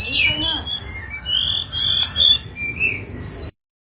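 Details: White-rumped shama singing a varied song meant as a lure for other birds: clear high whistled notes and slurred phrases, some sweeping, delivered in short bursts before ending abruptly.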